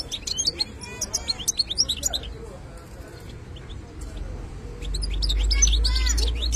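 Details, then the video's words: Goldfinch (European) in khlawi style, giving quick twittering phrases at the start and again near the end, separated by a quieter gap, while a loud low rumble rises in the last seconds. "حسون خلاوي"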